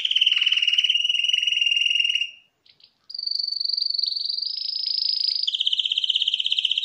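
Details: Champion canary vocal, 2021: a rolling trill slides downward and fades, a short gap with soft clicks follows, then a higher smooth tour rises into a bright, rapidly pulsed trill that continues to the end.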